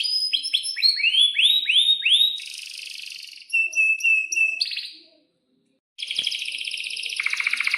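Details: Canary song from a tutor recording for young canaries: descending chips and arched whistles, a buzzy roll, short piping notes, a moment of silence, then another buzzy rolled trill.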